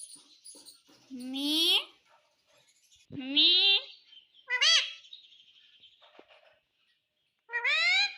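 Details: Indian ringneck parrot mimicking the word "mummy" in four separate bursts. Each is a buzzy, rising, layered harmonic phrase, separated by quiet gaps with faint clicks and soft high chirps.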